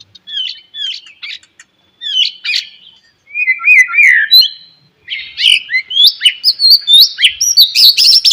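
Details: Morning song of a white-rumped shama, meant to prompt lazy shamas to answer: fast varied phrases of chirps, slurred whistles and rapid trills, loudening into a dense, busy stretch toward the end.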